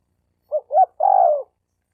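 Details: Male spotted dove calling to attract females: two short low coos followed by a longer, slightly tremulous drawn-out coo, in an otherwise silent setting.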